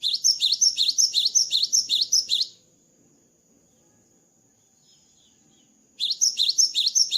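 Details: Cinereous tit (gelatik batu) singing energetically after moulting: fast repeated two-note phrases, high and sharp, about two and a half seconds of steady rhythm, a silent pause, then the same phrase pattern resumes.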